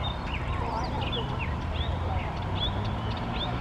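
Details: Mockingbird singing in the morning, a varied run of whistled phrases jumping between high and middle pitches, some swooping or slurred, others short and repeated, over a steady low rumble and possible voices.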